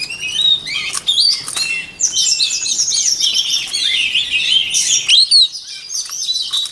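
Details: White-rumped shama pouring out a long, continuous song for voice training, rich with warbled whistles, chirps and sharp ticks, then ending in clearer swooping whistled notes.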